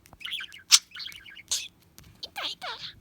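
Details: Pet budgerigar chatter, captured for finding a lost bird: quick warbled notes, a sharp squeaky click, a scratchy burst, then rippling down-sliding twitters, all high and busy.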